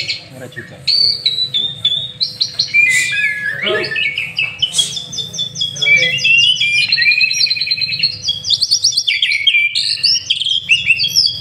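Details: White-rumped shama, a master-trained bird, singing a lure song: loud, varied run of high whistled phrases, slurred notes and rapid trills, densest in the second half, over a steady low hum.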